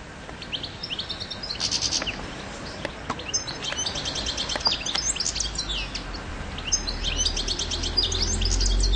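European goldfinch singing a fast, tinkling run of high twittering notes and liquid trills, with a low rumble of background noise underneath.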